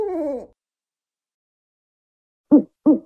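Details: One falling, drawn-out hoot from an African wood owl, then a long silence before three short, clipped low hoots.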